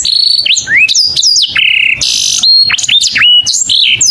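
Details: Saffron finch calling its companion with mixed high whistles, swooping slurs and short buzzy held notes in a lively, irregular phrase.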